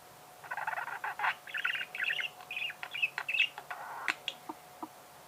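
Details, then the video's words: Budgerigar song as a stream of scratchy chattering bursts and short whistled chirps at an irregular pace, fairly quiet against a low background hum. "Пение волнистого попугая"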